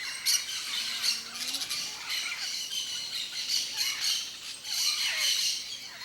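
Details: Wild Yellow-faced Parrots (Alipiopsitta xanthops) in Brazil's Cerrado give harsh, grating squawks, several overlapping in quick bursts, with a few faint lower whistled notes beneath.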